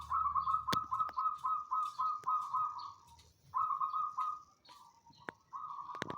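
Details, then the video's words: Zebra dove of the banyumili type kept in a knitted cage, delivering a long series of quick beaded coos at a steady pitch, then a pause and further trilled phrases, with occasional sharp clicks. "gelegar suara manggung Si Kertabumi (kutut banyumili)"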